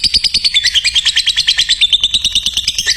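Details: Lovebird chatter for training other lovebirds, a rapid run of sharp, high chirping notes delivered about three per second in an even, pulsing stream.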